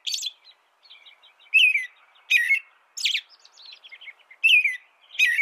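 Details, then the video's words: Caroling American robin song in steady bursts, each phrase a slurred, warbling note with thin squeaky overtones, repeated roughly every three-quarters of a second with softer chatter between. "canto de robin americano AMERICAN ROBIN"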